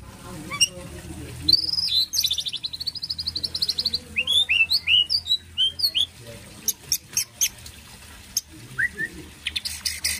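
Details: White-rumped shama song with a long warbled whistle, then rapid bouncing chip-like notes and a series of sharp clicks, delivered in quick bursts.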